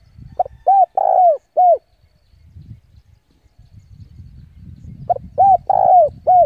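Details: Decoy spotted dove calling rival birds in to fight, giving two four-note cooing phrases about four seconds apart, each with a long central coo, over a background of low rumbling and shuffling noise.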